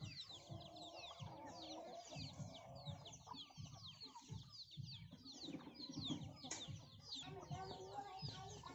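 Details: Hens and many chicks at a feed of young rice given by farmers; continuous overlapping chick peeps, high and downward-slurred, above low muffled clucking and feeding noise.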